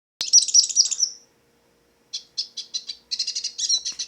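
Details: Black-headed pintassilgo (hooded siskin), a wild finch, singing freely in nature: a dense, bright burst of jumbled twittering, a short silence, then a rapid series of clipped, buzzy chirps in quick bursts, with no other sounds.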